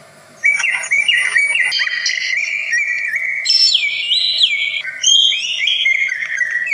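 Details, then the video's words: Greater green leafbird singing a varied song of many different voices, said to provoke other birds into responding; an unbroken stream of high whistled and warbled phrases, jumping between pitch levels with slurred rising and falling notes. "burung cucak ijo bisa bersuara banyak, Bikin terpacing burung lain"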